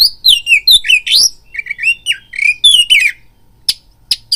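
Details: Oriental magpie-robin lure song intended to stir another kacer into fighting readiness: rapid dense whistled phrases with falling slurs and scratchy squawks, then a few isolated sharp notes after a brief lull.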